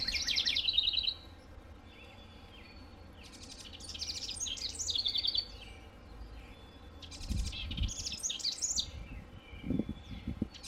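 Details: Wren song from a North American backyard, delivered in separate bursts of tumbling high chirps and trills with quiet gaps between them, plus some low thumps and rustling in the background.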